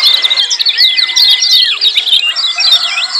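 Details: Rowdy 'ciak' calls from lemon-bellied white-eyes, aimed at getting silent birds singing: tightly packed high chirps with sweeping whistles that hold level, then drop off at the end.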